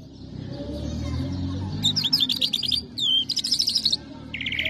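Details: Lark performing Irani or Afghani jal, known as Mashadi jal: after quiet low rumbling, bursts of quick high twittering notes, a sliding whistle and a buzzy rattling phrase to finish.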